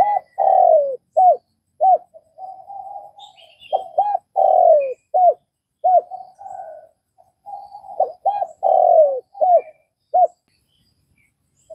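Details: Spotted dove from Vietnam cooing in a repeated phrase: short hooked coos followed by a longer slurred, falling coo, with softer trailing notes; the phrase repeats about every four seconds, with faint high chirps from other birds in the background.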